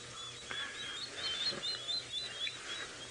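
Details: Water thick-knees at sunrise around 6 AM on 4 April 2018, in Djuma, Sabi Sand, Kruger area, South Africa: a run of thin, high whistled notes, several each second and unevenly spaced, over a faint low hum.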